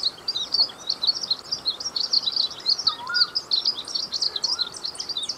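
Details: Glaucous-blue grosbeak pouring out a quick, high warbling song of twittered chirps, with a few faint lower whistled notes in the background.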